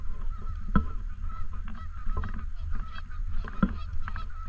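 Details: Several Canada geese on and around a lake in a park give brief, sharp honks, two louder ones standing out near the start and end, with softer honks between, all over heavy low wind rumble and a steady faint tone.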